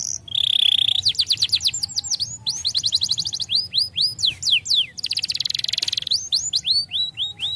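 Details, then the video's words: Starblue colour canary, sung to help young canaries learn fast: a steady high whistle, then series of swift down-slurred notes and fast rattling trills, switching between phrases every second or so. "starblue canary color tons legais agradável de ouvir faz os canários jovens soarem rápido"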